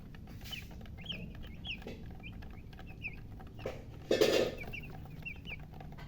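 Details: Just-hatched chicks give scattered high, bent peeps in small bursts, with a low hum underneath and a loud, brief thump or knock partway through.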